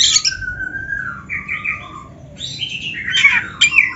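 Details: White-rumped shama master song for training: a harsh burst, then a long, low, level whistle dropping slightly, followed by wavering mid notes and a closing tangle of scratchy, twittering sounds.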